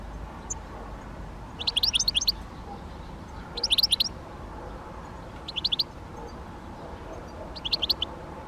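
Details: Great spotted woodpecker (Dendrocopos major) giving short bursts of about six to eight sharp, high, clipped notes in quick succession, with a burst roughly every two seconds, over a steady low hum.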